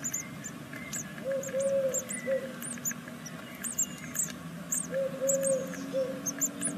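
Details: High, thin begging squeaks from great tit nestlings on day six of a second brood, in a nest at Veszprém, Hungary, come in irregular bursts, with a low three-part hoot heard twice.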